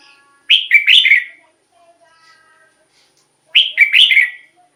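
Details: Red-whiskered bulbul song, used as a decoy or played to excite caged birds: two bubbly, whistled phrases of four or five quick notes, each under a second, about three seconds apart. Faint soft notes sound in the pause.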